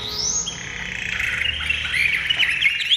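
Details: Caged Chinese hwamei fresh from its nest box, pouring out a rich, continuous warbled song with rapid slurred whistles and sweeps, high and varied throughout.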